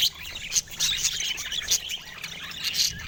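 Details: Budgerigar calls: short, bright chirps and squeaks repeated several times a second over about three seconds, mixed with softer warbling chatter and a faint low hum.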